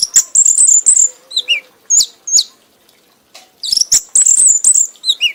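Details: Red-whiskered bulbul, an award-winning songbird, singing in a frenzied, excited state until exhausted: high, rapid twittering trills and sharp whistled slurs in bursts, a short pause near mid-clip, then another long chattering run.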